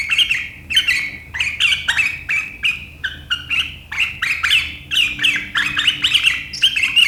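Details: Sooty-headed bulbul with sharp riwikan chatter that sets rivals chattering, 7 April 2023; rapid strings of sharp, squawky chirps repeated steadily, nearly continuous for several seconds.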